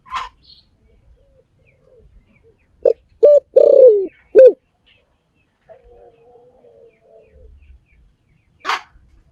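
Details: Spotted dove giving a short run of low, mellow coos, several in quick succession, with a longer drawn-out middle note and a falling end. A few clicks and quiet rustles are heard before and after.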